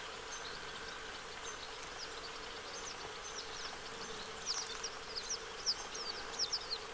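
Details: A family of western yellow wagtails bathing at Lake Hornborgasjön, Sweden, on 15 August 2023 gives thin, high slurred call notes, faint at first, then clearer and repeated in quick bursts over a steady background hiss and insect buzz.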